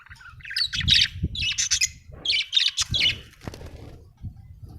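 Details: Budgies from Australia chirping: bursts of scratchy, buzzy chatter and squawky notes in quick clusters, with short pauses between groups and low rumbling background noise.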